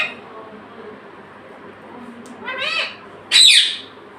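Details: Talking pet parrot, said to say "mummy" and "papa". A short voice-like phrase of stacked harmonic syllables is followed by one loud, harsh, rasping squawk over a quiet indoor background.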